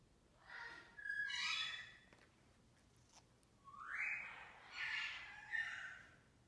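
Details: Congo African grey parrot interacting with its owner: soft, breathy whistles, including a rising sweep midway, then two more short whistled notes, all fairly quiet.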